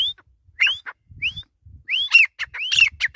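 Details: Grey francolin (desi teetar) giving rising whistled upslurs mixed with harsh, squawky mid-high notes that quicken and overlap toward the end, forming an excited, repeated calling sequence with soft low rumbling beneath.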